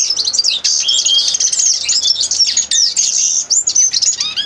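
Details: A common linnet sings a busy, tumbling medley of high twitters, short slurred whistles and buzzy notes, delivered without pause.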